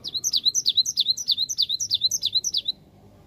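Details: Cinereous tit singing as a lure for birds to reply: about fifteen rapid, evenly spaced, high, bouncing two-part notes delivered in under three seconds, then stopping abruptly.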